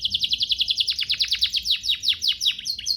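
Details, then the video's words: Canary training master song: rapid repeated downward-sweeping high notes, about five per second, forming a rolling chattering phrase that slows slightly at the end. "Masteran Mewah Spesial agar burung kenari cepat GACOR"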